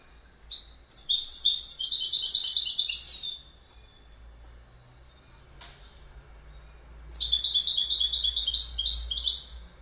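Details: Goldfinch singing two long phrases of rapid, liquid twittering and chiming notes, with a quiet gap and a faint click between them.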